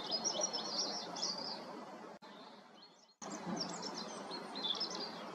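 Black redstart singing in quick, high, scratchy twittering notes with a brief break, over a steady rushing background noise.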